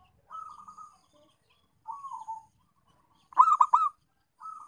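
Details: Zebra dove calling, a lure sound to prompt reluctant doves to call: soft rolling coos in short bursts, one louder stuttered triple coo, repeating every second or so.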